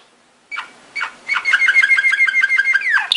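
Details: Belgian Waterslager song canary singing training song: after a short silence, a few soft separate notes, then a quickening bubbly chain of rapid pulses that ends in a downward slur.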